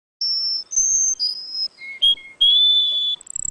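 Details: Russian song canary singing long, pure whistled notes that step between high and middle pitches, then a level whistle and a brief rattle at the end, with no other sounds.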